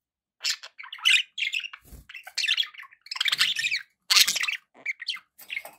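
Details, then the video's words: Pet budgerigars with background noise keep up nearly nonstop warbled chatter, a mix of scratchy squawks, quick chirps and clicks in uneven bursts, with one brief low thump partway through. "budgie sounds"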